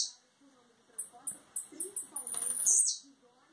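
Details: Blue-black grassquit from Campos dos Goytacazes, Rio de Janeiro, Brazil, coming out of molt, singing: a run of short, very high clipped notes that speed up into a dense buzzy burst, ending in a sharp downward slur. Faint low background sounds.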